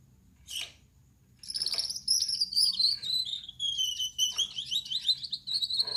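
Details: At night a male Gouldian finch with yellow back, red head and white breast gives two short scratchy notes, then launches into a long buzzy, wavering song of rapid wheezy trills, with faint background hum.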